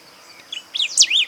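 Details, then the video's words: Golden-billed saltator singing at Esperanza, Santa Fe, Argentina, 2020: one brief phrase of bright, swooping whistles, a soft first note then louder down-up slurred notes in quick succession, against a quiet steady hum. "Cantos de pájaros Pepitero de collar"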